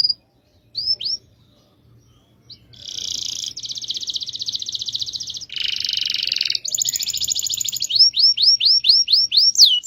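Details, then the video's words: Rolling canary song: a few rising whistles, then long buzzy trills and rattling rolls lasting several seconds, ending in a series of quick repeated down-slurred whistled notes. "MASTERAN KENARI NGEROL DURASI PANJANG"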